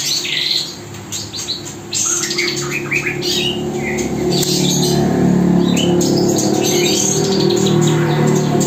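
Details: Spotted magpie-robin mastering song played to fledglings during hand-feeding; a rapid run of chirps and short whistled phrases over a loud, steady low hum.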